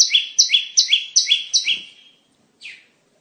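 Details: Bar-winged prinia song used as a trapping lure: five quick, high, two-part chirps falling in pitch, then a trailing note and one faint, lone downslurred call after a pause.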